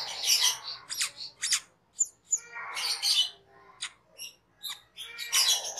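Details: Master training recording of a cucak keling in full song: harsh, noisy squawks and sharp high chips, with short gaps between bursts, in an otherwise quiet room.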